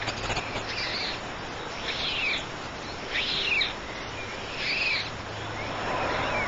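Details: Three white stork chicks in a nest make four breathy, hissing bursts, each ending in a short mewing note, spaced about a second apart.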